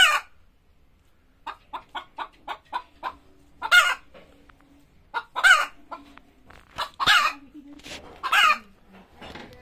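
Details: Chicken before laying eggs: a run of quick evenly spaced short clucks, then louder drawn-out harsh squawks at irregular intervals.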